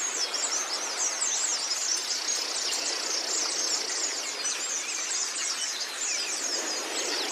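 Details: Training recording of Oriental white-eye song: steady, crowded high twittering, fast chirps and thin trills overlapping continuously with no silence, over a constant background hiss.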